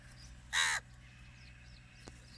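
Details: A crow looking for its food gives one loud, harsh caw lasting about a third of a second. A steady low hum and faint chirps of small birds sit in the background.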